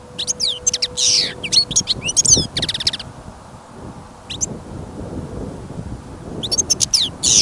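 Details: Caged European goldfinch kept for listening, singing outdoors on a trapping outing after sudden snowfall and rising wind. It gives bright tinkling twitters and rapid buzzy trills in bursts, with a pause from about three to six seconds and a low wind rumble underneath.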